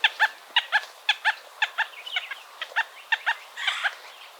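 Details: A Red-bellied Woodpecker in Florida gives short, hoarse chucking notes, mostly in quick pairs, about two a second, with a harsher burst near the end.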